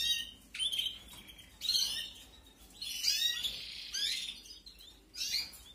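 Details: Canary nestlings during feeding, 2021 breeding: five bursts of shrill, wheezy chirping, each lasting under a second, spaced roughly a second apart over a faint background hiss.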